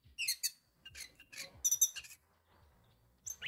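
Orange-headed thrush giving rapid bursts of high, scratchy, varied notes in quick phrases, then a pause and a single rising whistle.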